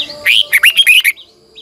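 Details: Decoy Red-whiskered bulbul in strong morning song, long twisting double voice; a sliding whistle then five quick, bright, bouncing notes in under a second, a thin steady hum in the background.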